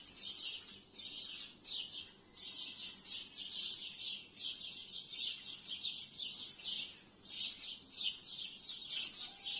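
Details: A busy flock of sparrows in trees at twilight chirps in dense, overlapping bursts of high, rapid twittering that swell and fade every second or so, with no other sounds.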